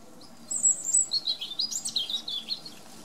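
A European robin sings a high, thin phrase: a sweet drawn-out note, then a rapid tumbling run of liquid trills and twitters, with a faint low hum behind.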